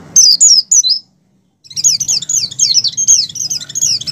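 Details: Breeding-condition Oriental white-eye from the wild, sung as a lure for caged white-eyes: a brief high twitter, a second of silence, then a dense, continuous stream of fast, sliding high notes.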